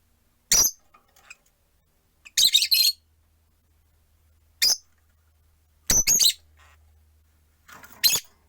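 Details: Rosy-faced lovebirds, four caged birds by a window, on a perch: sharp, high, harsh chirps and squawks in short bursts every one to two seconds, with a faint low hum beneath.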